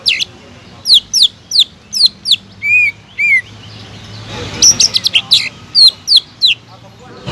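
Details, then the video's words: Kept greater green leafbird gives a string of spaced, sharp high chips, two lower buzzy whistles, then a quick rattling burst and more evenly spaced chips. "PANCINGAN CUCAK IJO GACOR EFEKTIF MENAIKAN EMOSI CUCAK IJO MACET BUNYI"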